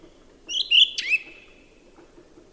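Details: Single brief song thrush phrase: a couple of bright whistled notes followed by a sliding, slightly buzzy flourish that trails off, with a quiet low murmur in the background.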